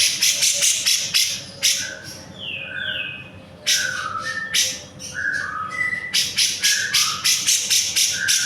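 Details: Energetic cucak jenggot song used as a tutor recording for cage birds: fast harsh chattering bursts mixed with clear, short, mid-pitched whistles, some flat and some slightly falling, delivered nearly twice a second.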